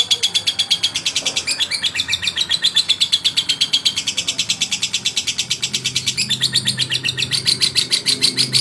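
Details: Male lovebird singing to provoke rivals: a long, fast, harsh chattering of buzzy notes, about three per second, running unbroken through the recording with slight shifts in tone.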